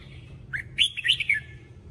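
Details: Red-whiskered bulbul, a cage bird, heard in a voice-training recording, gives one quick, bright phrase of warbled, slurred notes lasting under a second, over a faint low hum.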